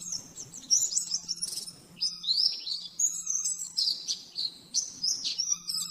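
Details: Oriental white-eye master recording in the rapid nembak-nembak style for caged-bird training. Loud, high chattering bursts alternate with short gaps, some notes swooping steeply up and down, above a faint low hum.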